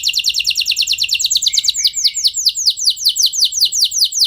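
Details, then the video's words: Canary song used to spur other canaries to sing; rapid high trill slowing after under two seconds into a rhythmic run of loud downward-sweeping notes, about five per second. "Ampuh Buat Merangsang Emosi Burung Kenari Lain Biar Gacor Ikut Ngeroll Panjang"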